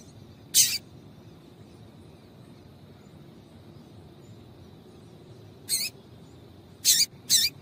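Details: Short, sharp high chips from a female double-collared seedeater calling to make males sing: one note, a long pause, then three more close together near the end.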